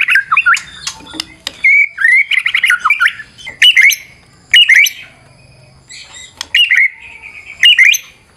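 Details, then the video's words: White-rumped shama in fighter form delivering a varied lure song: choppy phrases of slurred whistles, sharp clicks and rattles, broken by brief pauses, over about eight seconds. "Super figther Murai Batu Full Vareasi"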